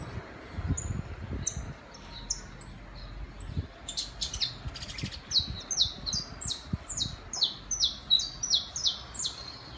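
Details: Urban saffron finch song: scattered high chips at first, then a brief burst of broadband noise, followed by a quickening run of bright, descending notes.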